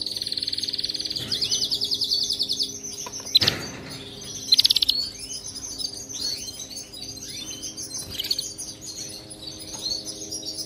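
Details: Canary singing for song training: a long fast buzzy trill at the start, then a sharp knock and varied chirps and short rising notes over a low background hum.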